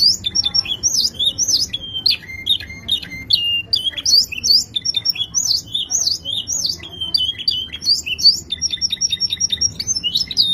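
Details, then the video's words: Kenari bule canary in full song, a dense stream of high chirps, sweeping whistles and rapid rattling trills that barely pauses over ten seconds, over a low steady hum. "KENARI BULE kicauan aduhai"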